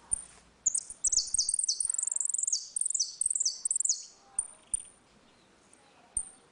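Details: Saffron finch singing the ringing 'retinido' song style in a dispute, a song used to teach young birds: quick runs of high, sharp descending notes in bursts, then a few isolated high ticks.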